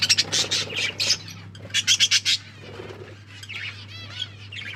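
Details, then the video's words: Budgies at their food make short loud chirps in clusters, then a quieter run of wavering, warbled notes near the end, with a faint low hum underneath. "Australian parrots eating food birds chirping sounds"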